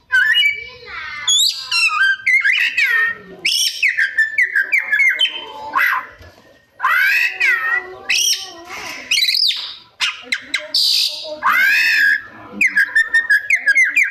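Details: Oriental magpie-robin reeling off imitated sounds, including drawn-out meow-like wailing notes mixed with rapid chips, sweeps and whistles in dense bursts.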